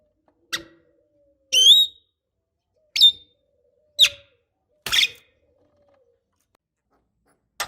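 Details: Javan myna lure sound, described as a female calling a male to get silent birds singing: sparse, separate notes, one a bright rising whistle, the others short sharp chips spaced about a second apart.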